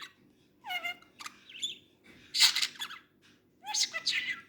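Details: A pet talking budgerigar chatters in quick, high, scratchy bursts imitating human speech in Persian.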